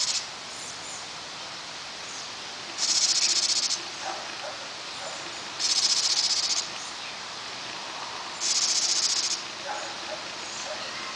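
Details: Nesting house wrens feeding their brood, June 21: evenly spaced bursts of high, grating, rapidly pulsed buzzing, each near a second long and recurring about every three seconds, with faint softer notes between.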